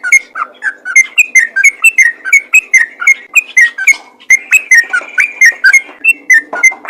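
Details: Yellow-vented bulbul pouring out continuous ropel song to encourage other bulbuls to sing: rhythmic bubbly whistles switching between higher and lower pitches, briefly dipping near the middle, then resuming just as busily.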